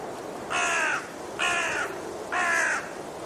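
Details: Raven giving three harsh, harmonic caws spaced about a second apart, each roughly half a second long, over a quiet background.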